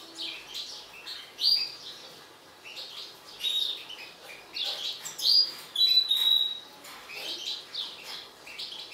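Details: Agitated mutant European goldfinch delivering a lively twittering song, clusters of high chirps broken by clear ringing whistled notes, rising in intensity toward the middle of the phrase.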